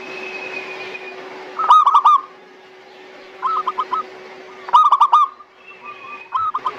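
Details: Local zebra dove song used as a lure to coax reluctant doves into singing: bursts of quick, clipped cooing notes in rolling groups, repeated about every one and a half seconds, over a steady electrical hum and faint background tone.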